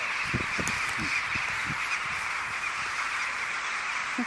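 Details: Many thousands of rooks gathering to roost on a winter evening in a field at Buckenham Carrs, Norfolk, on 31 December 2011. A dense, continuous wash of overlapping harsh caws from the flock, with a few louder low calls standing out.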